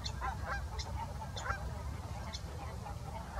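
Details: Greater white-fronted geese at Salford Priors gravel pits on 9 January 2021: a flock giving short, high, yelping honks in quick overlapping bursts, several birds calling together, over a steady low rumble of wind.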